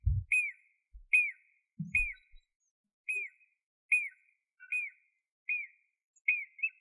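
A Jacobin cuckoo gives a series of eight loud, ringing whistled notes, each briefly rising then falling, about one every three-quarters of a second, with a few low thumps.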